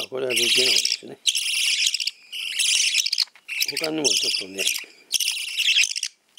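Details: A normal-type hand-tame budgerigar gives bursts of scratchy, high chattering calls about a second long with short gaps; a person speaks briefly twice.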